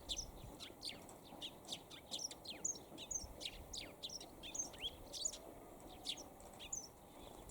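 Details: Eurasian tree sparrow perched for a long time in fine weather, giving a busy, steady stream of sharp, high chirps, with a faint, soft, rising tone underneath.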